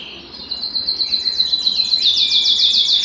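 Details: Aroused canary, eager to mate, delivering a bright, high trilled song: a steady rapid roll that speeds into sharper, repeated chopped notes near the end.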